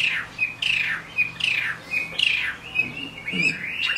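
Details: Chinese hwamei singing in the rain from a cage: strong downward-slurred whistles repeated roughly every second, each followed by a short level note, ending in rising, twisting phrases.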